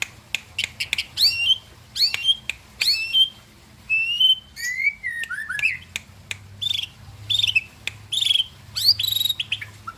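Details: White-rumped shama singing: clear, high whistled phrases, each opening with sharp upward flicks and ending in sliding notes, delivered in bursts roughly every second with short pauses, faint low hum beneath.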